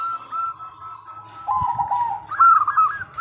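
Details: Local zebra dove song used as a lure for other doves: a held clear note slides into lower quick-pulsed cooing, then a bright rising trill of staccato notes, with a soft thump in between.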